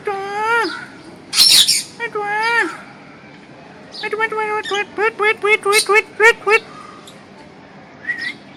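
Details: Green parrot talking: two drawn-out harmonic calls, a harsh squawk burst, then a rapid run of about ten short bent harmonic syllables, ending with a faint whistled note.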